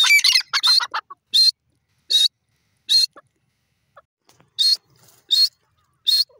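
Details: Grey francolin (teetar) calling: loud, harsh, high-pitched bursts repeated about once per second, opening with a rapid jumbled cluster of notes and then evenly spaced single bursts with short silences between.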